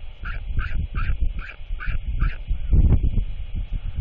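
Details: Chatty royal albatross chick with its father at a feeding at the end of the day, 27 March 2024: six harsh, nasal calls repeated about every third of a second, then a thump, with strong wind buffeting throughout.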